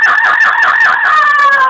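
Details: A female pet yellow-naped amazon, talkative and urged by her owner to talk, gives one drawn-out, nasal, voice-like utterance that wavers up and down several times, then slides lower toward the end.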